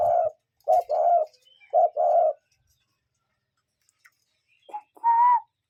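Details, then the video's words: A real wild cuckoo in nature gives soft, low, hooting two-note cu-ckoo calls, repeated about once a second, followed by a single higher, brighter call from another bird; no talking or music. "Cuckoo Bird Sound"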